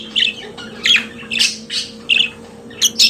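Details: Pet budgerigars giving short, bright chirps and squawky notes spaced roughly half a second apart, ending with two quick sharp calls, over a soft steady hum.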